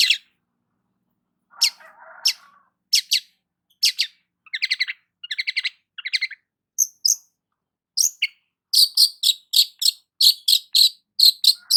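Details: Morning sunbathing long-tailed shrike: scattered high chips and a low, scratchy rattle give way to short buzzy trills, then a fast, steady series of bright, sharp notes near the end.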